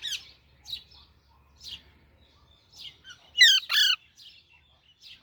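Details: Young Alexandrine parakeet giving soft scattered chirps, then a loud pair of rasping, harmonic squawks before quieter notes resume.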